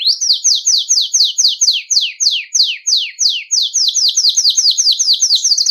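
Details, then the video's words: Belgian canary singing nonstop, used to warm up canaries and train young ones; loud rapid series of bright, falling whistled notes repeated about five per second, in a steady chain with no other sounds. "O CANTO DO CANÁRIO BELGA"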